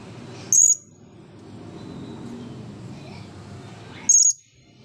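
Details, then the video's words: Blue-crowned hanging parrot, dry after bathing and restless before the camera, gives two short piercing high-pitched squeaks about three and a half seconds apart, with a steady low hum between them. "burung serindit jiwa kacau depan camera"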